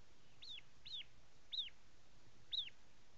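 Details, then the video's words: Four clear, arched notes from a prinia, each rising then dropping, spaced roughly one per second against faint background hiss. "Ciblek(jabang karang)"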